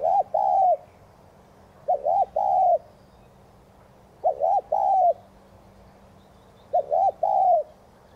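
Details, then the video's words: Spotted dove giving 'thúc gù' style coos, meant to stimulate other doves to coo: four mellow two-part phrases, a short note then a longer, slightly wavering one, about every two and a half seconds over faint background hiss. "Chim cu gáy THÚC GÙ kèm bổi kích bổi nhanh nổi hiệu quả.cu gáy Thúc Gù kích bổi căng lửa gáy ngay"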